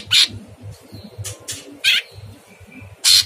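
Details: Cage-training (masteran) recording of a chattering sooty-headed bulbul with a very rough voice: five separate grating, noisy bursts spaced by short pauses, with faint thin whistles between them and a low humming background.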